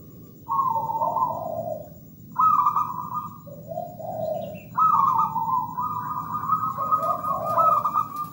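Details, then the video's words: Wild local zebra dove singing richly, alternating long high trilled coos with lower purring notes in close succession, the phrases running almost continuously with little silence between them. "PERKUTUT GACOR MERDU MEWAH"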